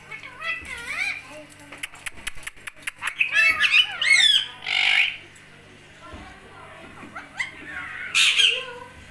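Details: Indian ringneck parakeet talking: short nasal, wavering speech-like phrases and squawks separated by a run of sharp clicks, a loud harsh burst near the middle and a final shrill squawk.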